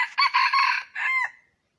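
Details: Wild red junglefowl crowing, the call used to attract wild chickens; one strong, raspy crow built from three joined bursts and a shorter closing note with a downward slur, in a quiet background.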